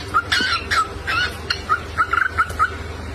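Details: Cockatiel at home singing short squawky notes that give way to quick clear whistles, with a fast burst of rapid notes near the end and a steady low hum beneath.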